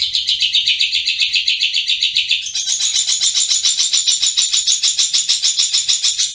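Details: Long-tailed shrike singing in full, lively ngriwik style: a fast, steady, buzzy chatter of about three or four notes a second, shifting midway from a lower rasp to a higher, thinner rattle.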